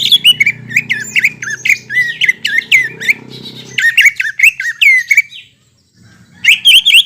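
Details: Greater green leafbird song for prompting birds after moulting: dense run of squeaky, twisting whistled notes and chattering phrases, a pause with faint low hum, then the chattering resumes.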